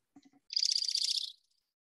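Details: Dark-eyed junco, a winter bird in Iowa, in a played recording: a rapid, musical, high trill lasting under a second, preceded by a few faint low ticks.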